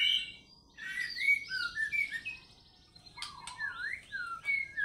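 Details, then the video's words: White-rumped shama song played as a lure for fighter birds, with ngekek and mbeset material; separated whistled phrases, clear slurred notes and short sharp bursts, broken by brief pauses. "PANCINGAN MURAIBATU AGAR FIGHTER GACOR PAGI SORE MALAM FUEL MATERI NGEKEK MBESET"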